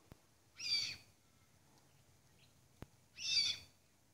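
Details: Red-tailed black cockatoo giving two harsh, grating calls about two and a half seconds apart, each lasting roughly half a second, with a sharp click between them in an otherwise quiet setting.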